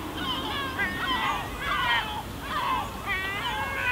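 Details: Excited gull chorus on an Elba pebble beach, Italy: bursts of rising-then-falling squealing cries roughly every second, overlapping voices, with low surf noise.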